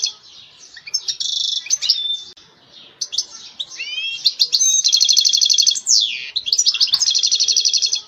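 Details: European goldfinch in lively song, mixing quick high twitters, upward-sweeping slurred notes and long dense buzzy trills, with a brief gap near the middle before the rapid chattering resumes; no other sounds intrude.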